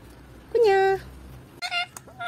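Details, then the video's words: Pet parrot talking in Malayalam: a short voiced, harmonic syllable held for about half a second, then after a pause a second brief burst of speech-like sounds, with a quiet room in the background. "Malayalam talking parrot"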